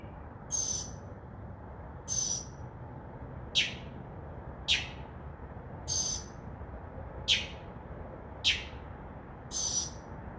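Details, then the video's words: Northern mockingbird perched in a tree outside a window at night, imitating other sounds; sharp high single notes spaced evenly about every 1.3 seconds, alternating between two clipped note types. "mocking bird makes crow sound, dove wing sounds and others"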